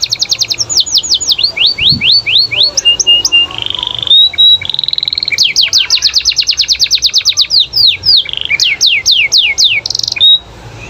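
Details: Canary in full song, rapid repeated downward-sweeping whistled notes in long trills, interspersed with steady buzzy tones and short chips, continuous and loud; sung to prompt other canaries to answer.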